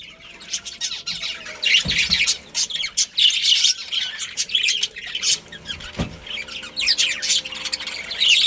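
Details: Budgerigars in a pet colony chirp and warble continuously in loud overlapping high bursts, with two brief knocks and a faint whistle-like tone in the background.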